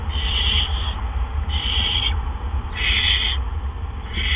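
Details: Two adult barn owls bring gophers to the nest one right after the other on April 17, 2013, at about 8 PM. Three loud, rasping screeches, each about half a second long, repeat at an even pace over a low hum.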